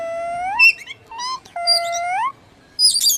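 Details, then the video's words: Green hill parrot perched on a rooftop in the sun, said to say 'mithu mithu'. Drawn-out harmonic calls, each rising at the end, in three phrases, then a burst of harsh high chatter. "The parrot makes a sweet sound"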